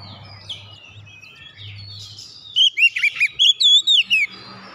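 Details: Oriental magpie-robin (kacer) song, used to get a silent bird singing again. Low hum and faint background sound come first, then a quick burst of looping whistled notes with sweeping pitch.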